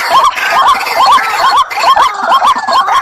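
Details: Decoy White-breasted waterhen calling in quick, evenly spaced pairs of rising, hooked notes, about eight notes in three seconds, with a light background hiss.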